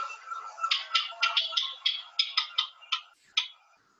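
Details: House wren (cucarachero común), common near houses, giving the first of two distinct call types (not its song): a harsh, dry chatter of about a dozen rasping, buzzy bursts, roughly three per second, then fading out.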